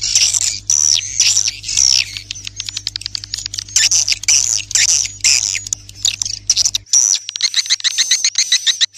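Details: Twittering swiftlet calls used to draw swiftlets: bursts of harsh, buzzy chirps alternating with quick clicking trills, a steady high whistle-like tone, and a low hum that stops near the end.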